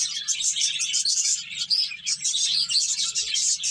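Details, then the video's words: A group of finches feeding and playing, giving rapid overlapping high chirps and squeaky twitters in a steady busy chorus. "Cute Birds Chirping Sounds"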